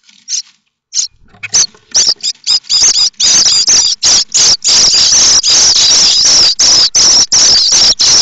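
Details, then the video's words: Nestling common starlings at Théding, France, 7 May 2024, rising to beg as a parent seemingly arrives with food: sparse rasps quickly swelling into loud, near-continuous frantic harsh screeching, about three bursts per second. "Les étourneaux sansonnets de Théding"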